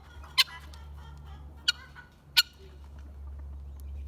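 Guineafowl giving three harsh, clipped notes spaced about a second apart, sharp and grating, over a low steady background hum.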